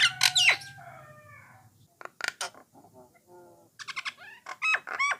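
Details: Starling known as jalak Nias or jalak coklat, singing to encourage other starlings: a loud shrill whistled burst, soft trailing notes, scattered clicks, then curved whistles and sharp high chips.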